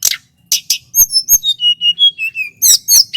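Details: Local male Sunda whistling thrush from Merapi singing persistently. Two sharp broadband chirps open, then a clear series of pure whistled notes, each falling slightly and stepping lower in pitch, ending in buzzy high chirps.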